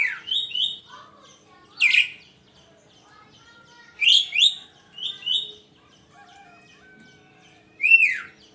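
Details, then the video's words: Javan myna singing in the morning: loud, slurred whistled notes falling and rising, given in short phrases separated by pauses of one to two seconds, with a few softer lower whistles between. "kicauan burung kerak di pagi hari"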